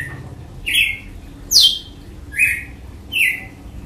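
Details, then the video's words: Red-cowled cardinal, açoite song style: four bright, slurred whistles falling in pitch, evenly spaced under a second apart, with one higher, sharper note in the middle. "AÇOITE DE GALO DE CAMPINA"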